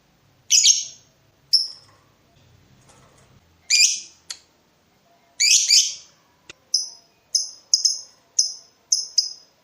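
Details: Lovebird in breeding mood, calling to provoke a rival into answering. Long shrill rasping shrieks come first, then a run of short, high, piercing chirps repeated about every half second.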